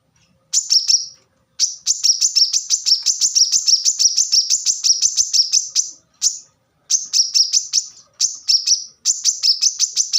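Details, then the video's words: High, dense sunbird song from a plain-throated sunbird (kolibri kelapa). Rapid, sharp, tinny notes pour out in long strings separated by short breaks, about eight bursts over ten seconds. "kolibri kelapa | manggar | wiceh | korlap gacor tembakan rapat"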